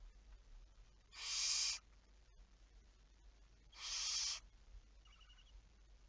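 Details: Pair of harsh, breathy barn owl screeches about two and a half seconds apart, recorded at 23:34 on 11 May 2019, followed by a faint brief chittering sound, over a quiet background.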